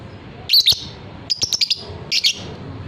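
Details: Fighter-type lovebird calling loudly in a training recording: three bursts of shrill, high chirps, the middle burst a quick stuttering run of five or six notes, over faint low hum.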